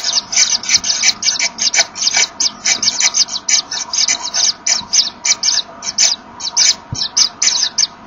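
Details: At a kingfisher nest, a male Common Kingfisher gives way to the female arriving with a small fish, and the pair blow at each other to find one another; dense train of short airy hisses, about four per second.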